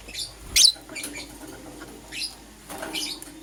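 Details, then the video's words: Pet lovebirds, green opaline and lutino, in the morning giving a few high, scratchy chirps, one loud squeak early on, then softer twitters spread over three seconds. "Lovebird Chirping Sounds"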